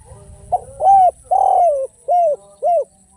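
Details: Lively derkuku, a spotted dove, in the 'kuk 1' or kuk-less style: one phrase of five low coos. A brief lead note and an arched coo come before a drawn, rougher coo that slides down, followed by two rounded coos.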